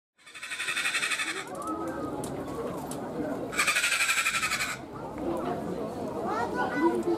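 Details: Captive sulphur-crested cockatoo at Ueno Zoo in Tokyo, Japan, giving two long, harsh, raspy screeches, the second louder, with visitors talking and children's voices throughout.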